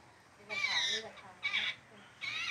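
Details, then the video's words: Bird chick begging while its mother feeds it: three harsh, noisy squawking bursts, each about half a second long, separated by short pauses. "Bird mom feeding his baby"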